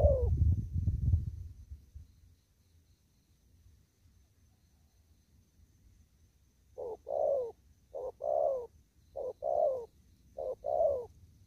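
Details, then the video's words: Spotted dove in the wild in a field, 'đồng thúc gù' cooing: a low rumbling thud opens, then after quiet come four pairs of short-then-long hollow coos. "Cu Gáy. Đồng thúc gù."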